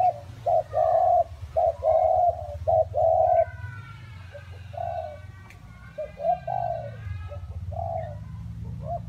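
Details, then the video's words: Spotted dove cooing through wet, windy weather: a loud opening burst of rapid hollow coos, then softer, more distant notes, with faint higher whistles from other birds and steady low rumble. "nghe cu gáy gù cả ngày"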